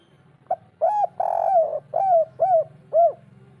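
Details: Local wild spotted dove giving the 'kuk 3' call, used to prompt a quiet bird to call back. A short soft coo opens a run of rounded, arching coos, one stretched longer, over a steady low hum.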